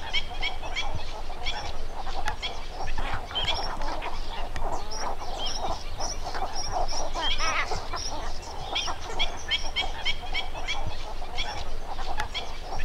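Cattle Egrets in a noisy colony chorus: harsh, nasal croaks and clucks overlapping without pause, over a steady low rumble.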